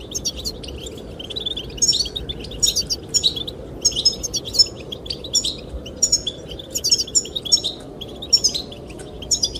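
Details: Goldfinch song aimed at attracting a female: rapid high twitters and metallic chirps in repeated clusters about every second, with windy background hiss underneath.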